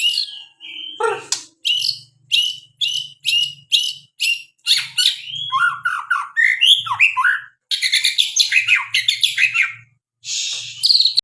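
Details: Varied song of a white-rumped shama (murai): a long sequence of mixed phrases, sharp chirps, buzzy bursts, warbled whistles and rapid trills, with brief pauses between phrases; faint low rumble in the background.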